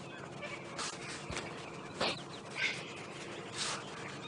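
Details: White-backed and hooded vultures fighting over a buffalo carcass on a wet October sunrise in Sabi Sands, South Africa, give harsh, rasping hisses and squawks in scattered bursts about a second apart, over a steady outdoor hiss.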